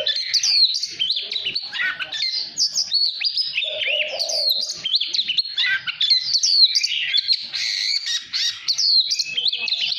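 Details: Caged Oriental magpie-robin pouring out song to fire up other birds: rapid sequences of shrill whistles, buzzy notes and sweeping slurs, one brief low warble near the middle, nearly continuous throughout.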